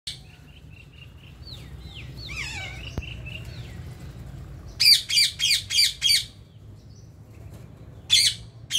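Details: Ring-necked parakeets in India: a few soft whistled notes and a faint descending squeal, then a burst of five harsh, loud squawks in quick succession, followed by a pause and two more rasping screeches.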